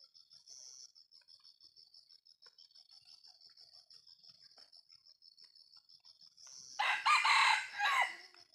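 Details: Junglefowl crowing: a long quiet stretch with a steady high whining insect-like drone, then one short, harsh, two-part crow near the end, loud and raspy.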